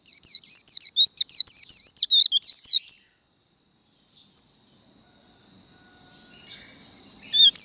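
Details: Japanese white-eye in 'líu đấu' fighting song: three seconds of rapid, high, twisting chirped notes, about a dozen in quick succession, followed by a steady thin high whine and near silence.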